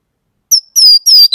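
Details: Orange-headed thrush song phrase: after a pause, a brief high whistle, then two long, clear whistles that slide gently downward, closed by a short lower note. Clean, with no background.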